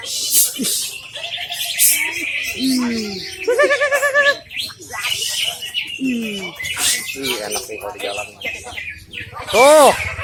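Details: Greater green leafbird at a singing competition, described as a winning bird: varied, fast song of clear whistles, chattering trills and slurred notes, with people talking and a crowd murmuring throughout.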